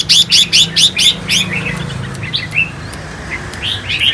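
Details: A 4-year-old Khánh Hòa red-whiskered bulbul, after a cooling bath, gives six harsh, scratchy chirps about four a second, then softer scattered chips, over a low hum.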